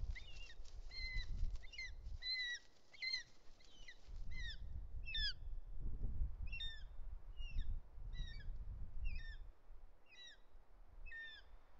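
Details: Young Bonelli's eagle in the Ports Natural Park, Catalonia, 13 August 2023, screaming as the adult male zigzags in to deliver a snake; a steady series of high, sharp, downward-slurred squeals, about one per second, over low wind rumble.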